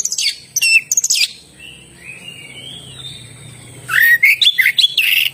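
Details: An oriental magpie-robin gives chirpy whistled notes, then a soft gliding whistle over a quiet gap, followed by a lively burst of swooping upslurred whistles and buzzy notes.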